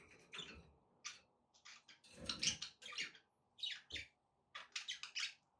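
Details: Pet budgerigars heard fairly quietly: sharp chirps and clicks grouped in short bursts, with a faint low hum underneath.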